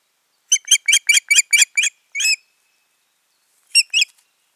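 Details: At their nest in mid-June 2019, a pair of ospreys calling: a quick string of piercing whistled chirps, a longer slurred note, then silence before two more chirps close the sequence.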